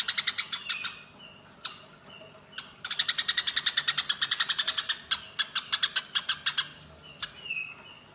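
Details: Fighting Eurasian tree sparrows chatter in short volleys, then one long unbroken run of about twenty harsh chirps lasting over three seconds; scattered single chirps and a soft whistle follow.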